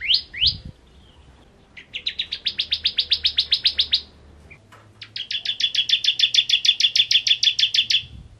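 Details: Bar-winged prinia (ciblek) singing two long, accelerating series of high chirps lasting around three seconds each, the second steadier and more ringing, with a faint low hum beneath.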